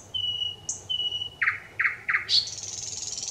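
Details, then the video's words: Song of a thrush nightingale recorded 25 May 2021: two long pure whistles, three hard rasping strokes spaced evenly, then a high dry buzzing trill to the end. "Satakieli laulaa, ääni kauniisti ja selvästi"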